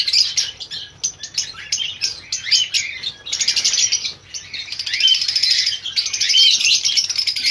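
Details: Breeding-farm colony of lovebirds giving a busy mix of high, piercing chirps and rapid squeaky notes from many birds, building to a near-continuous shrill chorus in the second half.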